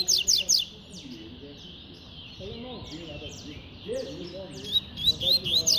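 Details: Fast, spirited double-collared seedeater giving tui-tui style song. It opens with three buzzy high notes, continues with softer slurred whistles and ends in a quick sequence of bright repeated whistles, with lower warbling between.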